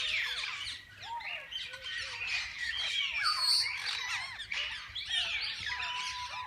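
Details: Many parakeets of different kinds in a walk-in aviary at a parrot park, birds that visitors can feed and hold; continuous noisy chorus of harsh squawks, rising and falling chirps and a few lower whistled notes.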